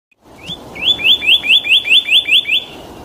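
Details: Cardinal singing in nature: a quick run of about eight clear, upslurred whistles at a steady high pitch, three or four per second, over faint background hiss.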